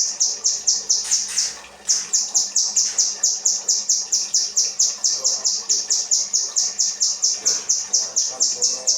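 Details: Kinoi song offered as 'rambatan' training material for cage birds: a fast, steady series of high, sharp chirped notes, about two per second, running unbroken throughout with a faint murmur behind.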